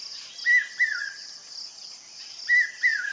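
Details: A Common hawk-cuckoo, also called the brain-fever bird, gives loud, shrill whistled phrases that drop at the end. They repeat about every two seconds over a steady high insect drone.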